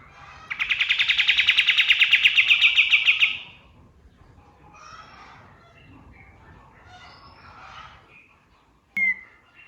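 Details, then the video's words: Male white-eye (kapas tembak) singing at dawn, used as a model song for training songbirds: a dense, sharp burst of rapid notes, about three seconds long, then faint chatter and one short note at the end. "MASTERAN BURUNG KATEM GACOR | SUARA KAPAS TEMBAK SUBUH"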